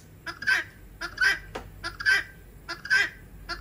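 Guineafowl giving harsh, grating two-part calls, repeated about every second in a steady rhythm, against a quiet background.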